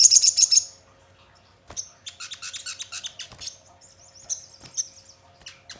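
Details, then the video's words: Crimson sunbird song used as a lure to get other birds singing and answering: a shrill high chirp burst, a pause, then rapid thin twittering notes and a sharp trill near the end. "Pancingan Sogon Bahan Agar Cepat Bunyi Gacor dan Langsung Respon Nyaut"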